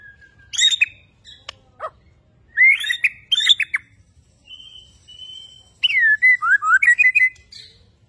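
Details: White-rumped shama from Borneo, singing actively: sharp chip notes, short whistled phrases in pairs, a steady thin whistle, then a quick run of swooping looped notes.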